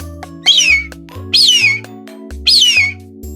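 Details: Red-tailed hawk giving three loud, hoarse, downward-slurring screams about a second apart, each lasting about half a second, with soft music in the background.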